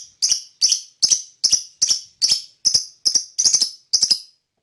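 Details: Lovebird chirping, described as provoking the emotions of other birds: ten short, sharp, high chirps, some doubled, spaced roughly every half second with silence between them.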